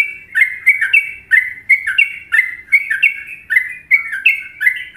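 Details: Trucuk, the sooty-headed bulbul, sings a Trucukan-style phrase from Indonesia: loud, bubbly whistled notes in quick pairs that rise then dip, repeated evenly for several seconds over near silence.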